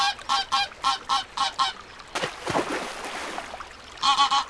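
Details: Duck quacking at a lagoon: a fast string of raspy quacks, a burst of splashing and rushing noise, then a few more loud quacks.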